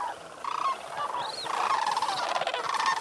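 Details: Brief chorus of wild sandhill cranes at North Crane Pool, Bosque del Apache, New Mexico, shortly after a cold November 2010 sunrise. Resonant, rolling croaks overlap continuously, with one higher rising-and-falling note above the rest.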